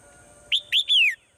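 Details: Morning song of a swallow, a single bright phrase: two quick high chirps, then a drawn-out clear whistle that falls in pitch, against a quiet background.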